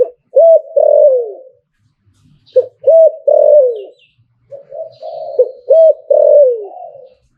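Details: Spotted dove in the liu-tan cooing style, kept by an owner. Three full phrases, each a quick hooked note, a short note and a drawn-out coo sliding downward, with brief pauses and faint soft sounds between.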